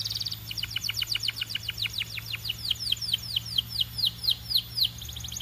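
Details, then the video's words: Belgian canary delivering a long continuous series of quick, downward-slurred chirps, about four per second, rising and falling slightly in pitch, bright and high over a low steady hum. "Impossible If Your Canary Does Not Immediately Sing‼️ Belgian Canary"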